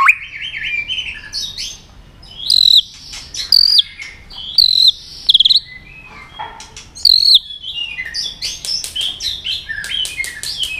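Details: White-rumped shama stirred up to sing in a fighting mood, delivering high, piercing whistled phrases separated by short pauses, mixed with rapid ticking notes and scratchy chatter.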